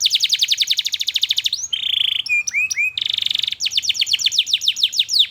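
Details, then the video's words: Canary lure song for teaching young canaries to sing, a long energetic 'cuit cuit' performance: fast runs of repeated high chirps, then a sustained buzzy roll, a few upslurred whistles and another quick rattling trill series. "KENARI GACOR PANJANG Cuit Cuit EMOSI, Pancingan Kenari Paud Belajar Bunyi"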